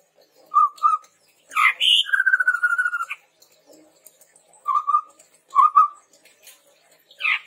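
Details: Chestnut-rumped babbler singing, a recording meant for lure and tutor use: low paired whistled notes, then a harsh burst leading into a long, fast, rattling run of notes, followed by more low doubled whistles.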